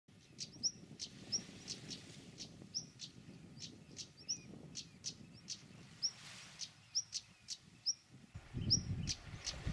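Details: European stonechats on the Isles of Scilly, 25–29 April 2024, male on Tresco and female on St Mary's both singing: sharp high ticking notes and brief whistles repeated roughly every half second, with low rumbling noise near the end.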